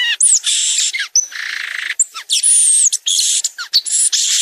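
Violaceous euphonia singing a fast, varied jumble of high chattering notes, buzzy trills and thin whistled slurs, packed tightly without pause.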